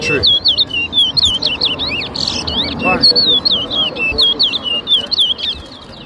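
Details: Chestnut-bellied seed finch (towa towa) singing at a bird whistling competition in Rosehall, Guyana, 2023: a steady string of clear, slurred whistled notes, each bending up and down, about two per second, over a low murmur of people.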